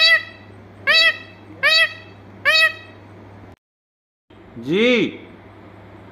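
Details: Talking ringneck parrot; four loud, harsh, harmonic squawk-like syllables about one second apart, a brief silence, then a single longer rising-and-falling voice-like call over a low steady hum.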